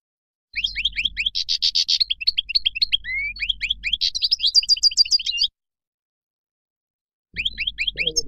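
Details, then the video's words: Moroccan goldfinch delivering a long, fast stream of chirpy twittering notes with a brief buzzy passage. The song stops for two seconds, then resumes briefly. "تغريد مقنين مغربي"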